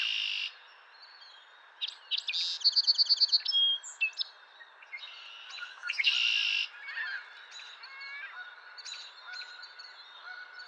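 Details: Male Song Sparrow singing on April 10, 2023: a loud buzzy opening note, a few sharp notes, then a rapid run of evenly repeated notes, another harsh buzzy burst and a jumble of thin chirps, with fainter bird calls behind.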